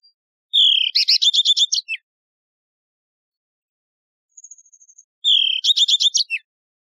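A yellow-fronted canary sings two bright phrases, each a rising whistle breaking into a quick rattling trill, with a thin high twitter in between.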